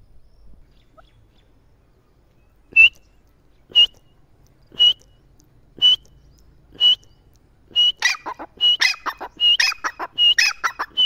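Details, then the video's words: Partridge starting with widely spaced high whistled notes about once a second, then breaking into a faster run of busier phrases that mix whistles with harsher clipped syllables. "teetar ki boli | teetar ki awaaz | teetar ki voice"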